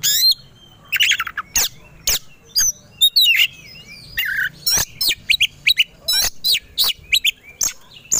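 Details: Aggressive fighting song of a white-rumped shama (kacer), provoked to sing: rapid sequence of sharp high whistles, sweeping slurred notes and harsh clicks, phrases separated by brief pauses.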